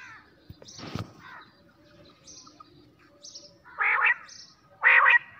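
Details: Quail at night: a sharp click and faint chirps, then two loud, harsh buzzy notes about a second apart near the end.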